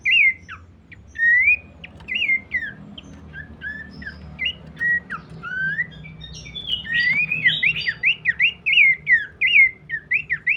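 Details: Abbott's babbler singing a long run of clear whistled notes. Early phrases are spaced and slurred; later they become a rapid, jerky series of rising and falling whistles, with faint low background rumble.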